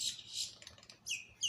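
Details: Northern Cardinal calling near a woodpecker family at a feeding spot in Ocala National Forest, where cardinals were unhappy about the woodpecker's presence; sharp high chips followed by short downslurred whistles, brief and irregular, with other bird activity nearby.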